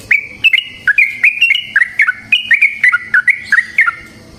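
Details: Trucukan, the yellow-vented bulbul, in vigorous long ropel song in wild forest style, used to lure other trucukan into singing; a steady run of gurgling, fluty whistles, each note sliding up or down, delivered briskly.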